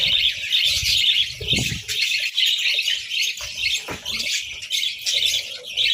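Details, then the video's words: A flock of budgerigars feeding on boiled eggs and bread in winter: loud, jumbled squawky chirps and warbles, with a couple of low thumps and wing flaps. "Breakfast Serenade: Budgies' Melodic Chirps over Boiled Eggs and Breads"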